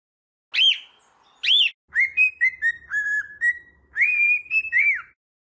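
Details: Singing cockatiel: two loud arched chirps, then a bright whistled phrase of level and gently falling notes with rich overtones. A soft low hum sits beneath.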